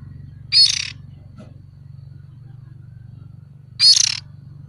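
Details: A young oriental magpie-robin kept as a decoy repeats a short, coarse, hissing rasp twice, about three seconds apart, over a steady low mechanical hum.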